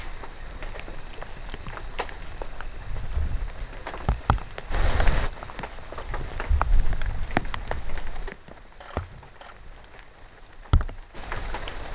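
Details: Steady rain patters and drips with low rumbling wind and handling thumps, and no animal voice can be picked out.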